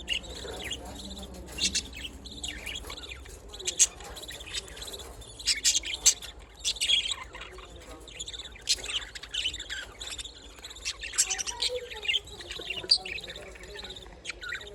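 Budgerigars chatter nonstop in quick, high, scratchy chirps and squeaks that overlap.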